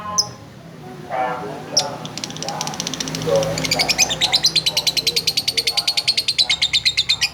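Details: Female lovebird singing gacor: scattered high notes give way after four seconds to a fast, rattling run of sharp repeated notes that carries steadily to the end, with soft low sounds behind.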